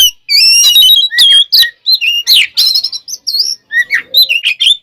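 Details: Loud, varied fighting song of an oriental magpie-robin used to stir rival birds; sweet high whistles alternate with harsh chattering bursts and quick up-slurred notes in short phrases.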